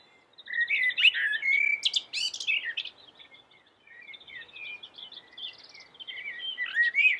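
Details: Common blackbird, the yellow-billed black bird, singing vigorously and melodiously: mellow fluted warbles around the middle register, broken by a squeaky high flourish, a short pause, then a softer run of twittering notes rising to a sharp ending.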